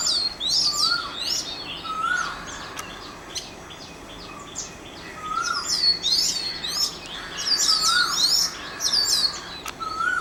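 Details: Around Mormugao Harbour, Vasco da Gama, an Oriental magpie-robin pours out dense high twittering and whistled phrases, broken by lower slurred whistles every couple of seconds, with a brief quieter pause mid-way.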